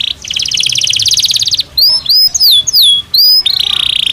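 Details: Belgian canary singing naturally: a dense buzzy roll followed by clear looping whistled notes rising and falling, then another rapid trill.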